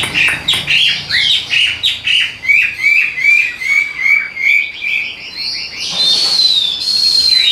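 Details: Caged Vietnamese Hwamei repeating a quick string of short slurred whistles, roughly two or three per second, each dipping in pitch, then finishing with higher drawn-out whistled notes.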